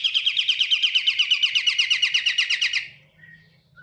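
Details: Pied triller (kapasan kemiri) song used as a lure recording: a fast, even trill of buzzy, downslurred notes, about seven per second, held for nearly three seconds before stopping abruptly, with faint low hum after.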